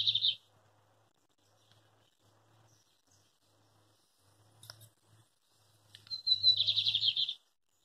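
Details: A male lined seedeater sings a metralha-style song on a rural farm near Coronel Murta, Brazil. A short buzzy burst opens the recording, then after a quiet pause comes a longer rapid chattering phrase. A faint low hum runs underneath.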